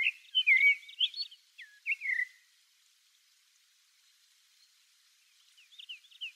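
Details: Common blackbird, a rare passage migrant on Okinawa or Ishigaki, filmed far away: a quick run of clear, fluty whistles and squeaky twitters, three seconds' silence, then a fainter twittering phrase.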